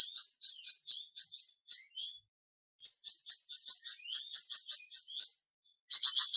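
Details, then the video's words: A flamboyan bird sings high, slightly varied chirps in uneven runs with pauses between them. A louder, denser burst comes at the close. "Terapi Cepat Bikin Burung Flamboyan Buka Paruh dan Gacor"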